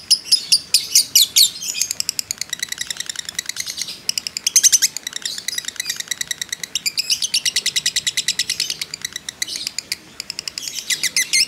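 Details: Lovebird of fighter type delivering a long emotional ngekek chatter, used as a lure to provoke other birds: fast bursts of high, buzzy repeated chirps, loud at first, then steady ticking runs with short pauses.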